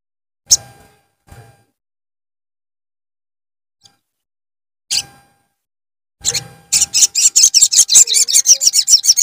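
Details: Untrained wild-caught Javan cochoa heard as a lure recording: a few isolated sharp clicks and taps, then a rapid, steady run of high chirped notes building to the end.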